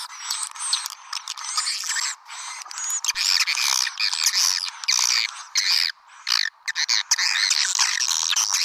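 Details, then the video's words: Lure call for swiftlets: busy overlapping twitters and squeaky chirps in irregular bursts with short pauses between them. "Suara Panggil Burung Walet Nemo # เสียงนกนางแอ่น สำหรับเรียกนก"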